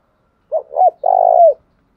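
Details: A single close Spotted dove phrase from Đồng Nai, a coo used to provoke and train decoy birds: two short hooked notes and a longer steady coo dropping at its close, nothing else audible.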